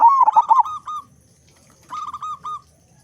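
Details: Big-voiced local zebra dove singing readily, a lure to start other doves singing: a loud opening burst of fast rolling coos trailing into flat notes, then a quieter run of level coos.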